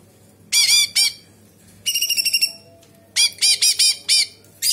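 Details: Cucak cungkok bulbul in sharp tembakan song with kapas tembak fill: clusters of harsh quick downslurred notes, a pulsed high trill, then another run of rapid choppy notes, pauses between.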